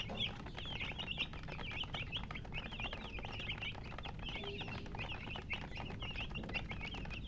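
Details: Colored chickens keep up rapid, high-pitched chirping, short bent peeps tumbling over one another almost without pause, with a low steady noise beneath.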